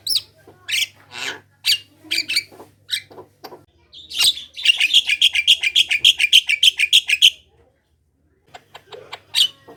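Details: Javan myna singing energetically, used as a lure to prompt other Javan mynas to sing: scattered harsh chirps and clicks, then a rapid run of about twenty-five evenly repeated bright notes before a pause and a few more chirps.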